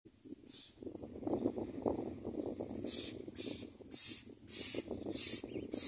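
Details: Common myna at a nest while adults bring food to the chicks: after a stretch of low rumbling, loud harsh hissing bursts begin near the three-second mark and repeat about every half second, growing stronger toward the end.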